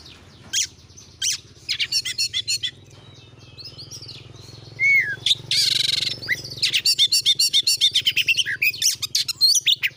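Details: Oriental magpie-robin singing as a lure for other magpie-robins, scattered sharp chirps and a short whistled phrase, a harsh buzzy burst, then fast repeated clicking trills over a low steady background hum.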